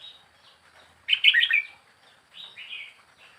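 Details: Wild-caught young red-whiskered bulbul kept caged for four weeks sings a loud, quick jumble of warbled notes, then a softer rolling phrase, with faint chirping around it.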